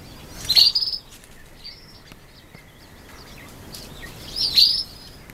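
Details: Day-old brown quail chicks calling with loud, high, sharp peeps in two clusters, one near the start and one near the end, with fainter chirps between and low background hiss.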